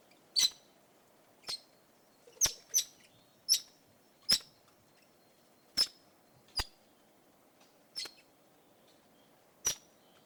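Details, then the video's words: Red-rumped parrot calling: sharp, very high, brief chip notes repeated at irregular intervals of roughly one second, with a low steady background hiss. "Red Rumped Parakeet Sound Effect Clip"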